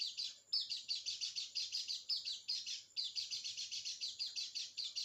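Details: Lure recording of a white-eye meant to spur a silent bird into song: continuous high-pitched twittering with fast, slightly scratchy notes in quick succession, broken by short gaps, clean background.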